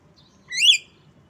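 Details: A single loud, upward-sweeping harmonic squeal from an Asian pied starling, known as jalak kebo, rising and then dropping briefly.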